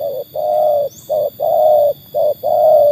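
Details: Close, loud tekukur, a trained bird tested against wild birds, repeating short-then-long coo pairs three times in quick succession, a faint chirp overhead and steady hum behind.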